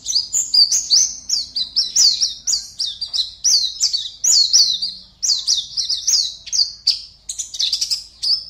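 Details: An Indonesian contest white-eye (pleci) from Pontianak, West Kalimantan, sings a long fast series of shrill, sweet chirps, nearly three per second, steady and forceful, on a quiet background.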